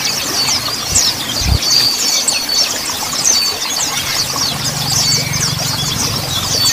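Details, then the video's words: Mountain white-eye song used as therapy to bring untrained birds into song; rapid high chirps and thin twitters run on without pause, with a couple of low thumps and a faint low hum. "Terapi MONTANUS / MONTY SOLUSI Burung BAHAN Segera BUNYI!"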